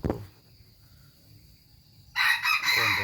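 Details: Chicken crowing: after two quiet seconds with a faint whine, a rooster bursts into a loud, hoarse, strained crow split into several segments, still sounding at the end.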